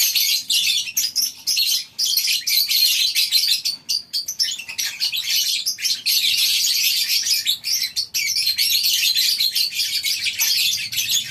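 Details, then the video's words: Lovebirds in a communal colony aviary at a farm, recorded in the morning, keep up a long run of high, scratchy, overlapping chirps from many birds, dipping briefly in volume now and then. "Suasana Pagi Di Peternakan Burung Lovebirds di Kandang Koloni, Suara Love bird"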